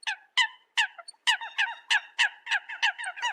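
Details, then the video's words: Eurasian coot decoy recording: a fast run of loud, nasal, honking notes, several per second, each a short harmonic bark with a slight downward bend, some overlapping. "TIEN CHIM SAM CAM CUC CHUAN TIENG CHIM MOI 2020"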